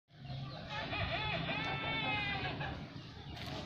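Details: Ayam Ketawa, the laughing chicken, gives one drawn-out crow of about three seconds. The voice is rich and harmonic, wavering and undulating in a laughing manner before it fades. There is faint background noise.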